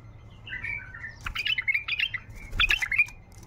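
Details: Wild bulbul in song: a soft warbled lead-in followed by two rapid bursts of bright, rolling whistled notes, with faint thuds and a steady low hum behind.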